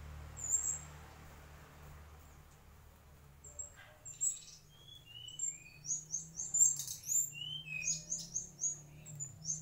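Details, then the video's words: High whistled notes and short rising slurs from a mangrove whistler, building into a quick series of sharp repeated chirps toward the end, low hum underneath. "Tledekan asli bakau"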